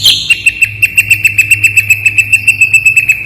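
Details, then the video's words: An ashy drongo gives a fast run of sharp, clear chips, about four notes a second, on a steady high pitch, with a faint low rumble of traffic behind. "SUARA SRIGUNTING ABU SANGAT TAJAM+JERNIH.. the sound of the gray srigunting bird is very gacor...!!!"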